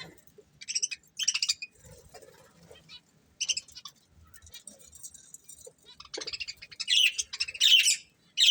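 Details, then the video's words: A breeding pair of budgerigars chirping: scattered short, scratchy high chirps at first, building into louder, denser warbling chatter toward the end. "Cute Budgies Chirping Sounds"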